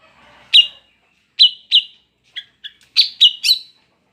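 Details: Female greater green leafbird in breeding condition, calling to lure males: short, bright, slurred chirps, single notes spaced about half a second apart, then a quicker run of three or four ringing notes, in a quiet setting.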